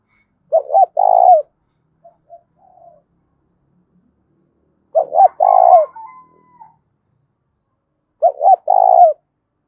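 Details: Spotted dove repeating its loud, ringing challenge coo (cu gáy thúc đấu) three times, about every four seconds. Each phrase is a pair of quick low coos and a longer slurred note, with soft clipped notes between.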